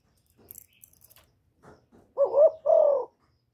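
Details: Spotted dove (cu gáy, cu cườm) cooing, recorded close and clean: faint soft clicks first, then a loud two-note coo, the first note dipping and wavering, the second steady and slightly falling.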